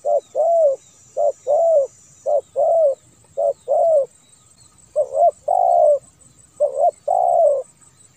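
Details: Spotted dove, an edited clear recording used as a lure for kept and wild doves, sings mellow, low coos in phrases of short notes ending in a longer slurred coo, repeated every two seconds over faint high hiss.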